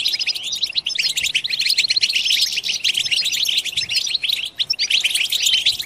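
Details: Several European goldfinches in collective batbata chatter, meant to excite singing: high, rapid chips and tinkling phrases pour out steadily, with small pauses between bursts.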